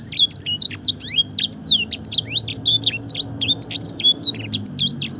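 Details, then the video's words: Luxurious canary song for training, mimicking blackthroat and edel sanger: quick strings of bright, high whistles bending up and down, interspersed with short buzzy trills, sung continuously. "masteran suara burung kenari full isian mewah blackthroat dan sanger gacor"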